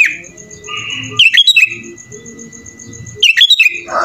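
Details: Sooty-headed bulbul singing vigorously, its song filled with imitations of other birds, used to draw other bulbuls into song: two bursts of sharp, rapid, bubbling whistled notes around 1.2 and 3.3 seconds, with quieter drawn-out whistles between them.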